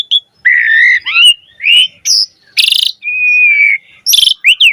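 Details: Black-collared starling singing a varied lure song for training other starlings. Steady flat whistles, a buzzy rattling burst, a long level whistle and a final harsh chirp cluster with a rising note.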